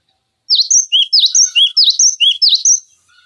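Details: A cinereous tit's song, offered as tutor material for other songbirds: a fast, even string of three-note whistled phrases, a dipped note, a high note and a lower one, repeated about five times, clean and close.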